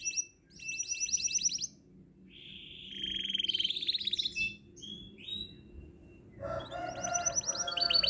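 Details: Canary in bursts of song: rapid high rattling trills, a lower buzzy warble, isolated whistled notes, then a harsh broadband rattle with more trills at the end.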